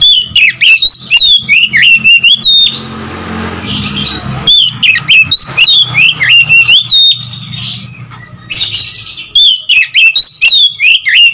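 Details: Lure call of an Oriental magpie-robin meant to trigger singing and tail-spreading in other birds: rapid runs of sharp, bending whistles and chirps, broken twice by harsh noisy bursts, with a low hum underneath.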